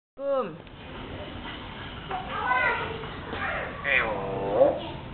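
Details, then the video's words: Common hill myna imitating human speech indoors. It opens with a few quick falling whistled notes, then gives wavering, voice-like phrases resembling a spoken greeting, with faint room noise. "burung beo"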